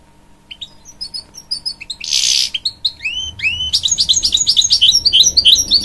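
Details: Caged hybrid goldfinch, a canary and goldfinch cross, singing to encourage young chicks: rapid twittering song of high chirps, buzzy notes and upswept slurred whistles, with a harsh noisy burst near the start and a steady faint hum throughout.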